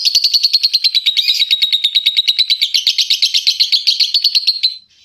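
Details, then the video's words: Lovebird in the long 'ngekek' chattering style used as master recording for training contest birds: a fast, unbroken run of sharp, high chirping pulses, roughly eight per second, holding steady for nearly five seconds before stopping abruptly. "Masteran loveBird Juara"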